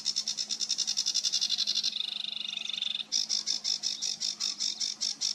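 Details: Sedge warbler singing on 28 June 2022, a rapid run of high, scratchy repeated notes that shifts briefly into a lower, faster buzzing trill before returning to spaced, loud chattering notes.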